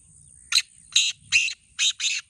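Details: Kala teetar call from a contest between two black francolins: five rasping, buzzy notes in an even rhythm, the last two run close together, with low rumbling noise underneath.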